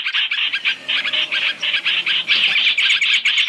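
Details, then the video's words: Chinese hwamei lure call for trapping, a three-in-one mix: continuous rasping, scratchy notes in quick irregular bursts, loud and close, with no other clear sounds. "Tiếng chim hoành hoạch (trao trảo) mồi 3 trong 1 chuẩn để bẫy"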